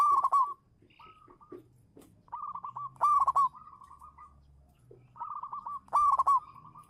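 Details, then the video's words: Local zebra dove singing as a lure bird: three loud rattling coo bursts roughly three seconds apart, each followed by a string of softer rolling notes, with short pauses between phrases. "suara burung perkutut lokal manggung juara pancingan"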